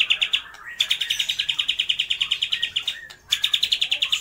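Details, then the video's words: Caged white-rumped shama imitating lovebird, kapas tembak and pijantung gunung, delivering long bursts of rapid, evenly pulsed chattering notes, broken by two brief pauses with a soft rising note. "MURAI BATU GACOR || TEMBAKAN Love bird,kapas tembak dan pijantung gunung"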